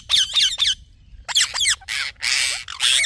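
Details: Chirping talking parrot giving rapid grating squeaks, three quick buzzy notes, a pause, then two more and longer rasping squawks toward the end.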